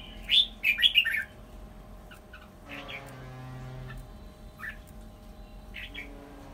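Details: Caged red-whiskered bulbul decoy, almost finished molting, opens with a rapid run of four or five loud warbled notes, then falls quiet apart from a few scattered soft chirps over a low droning household hum.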